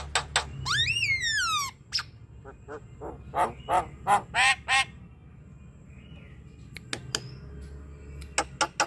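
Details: Javan myna singing as a lure for an idle bird: a long falling whistle with strong overtones, then a burst of harsh grating notes, a quiet gap and scattered sharp clicks.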